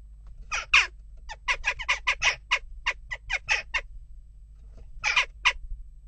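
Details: Agitated western jackdaws at a nest box: a rapid chattering series of about fifteen short, harsh calls over three seconds, a pause, then two more quick calls, with a faint hum underneath.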